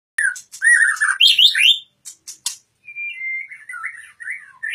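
A white-rumped shama sings a fast, varied run of rich whistles and chattering notes, some rising and some falling, with brief pauses between phrases and no other sounds.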